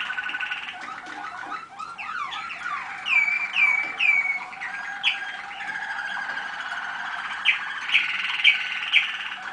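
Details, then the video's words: Waterslager (Malinois) canaries, young birds from 2010, heard during a listening session on 25 November 2010; rolling watery trills with clusters of short upslurred notes, fairly steady background warbling throughout. "канарейки . waterslager. malinois."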